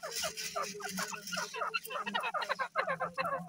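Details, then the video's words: Busy chorus of grey francolins during the egg season: quick series of short, slurred, nasal notes from several birds overlapping, rising in density toward the end, over a faint constant hum. "pk partridge birds breading,tetar ke awaz,dakni teetar egg season"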